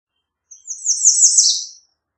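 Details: One continuous, high, sizzling phrase sung by an American redstart, slurring downward at its close.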